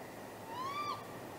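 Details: Great grey owl vocalising off camera at midnight on 23 April 2019 at a nest site, during courting and possible mating; a single clear whistled note rising to a high, even pitch then dipping sharply at the end, with faint background hiss.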